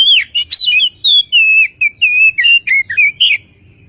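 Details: Oriental magpie-robin singing in a lure recording meant to get birds singing quickly: a continuous run of a dozen or so loud whistled notes, some warbled or dipping, delivered in rapid succession before fading out.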